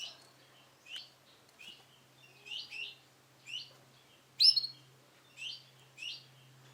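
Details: Male canary, Sunkist colour variety, giving spaced high chirps, single or paired, with one louder shrill note, over a steady low hum.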